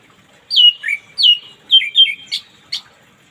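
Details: Orange-headed thrush morning song used as therapy to make reluctant birds sing: a series of bright downslurred whistles, each trailing into a lower note, followed by two sharp high chips.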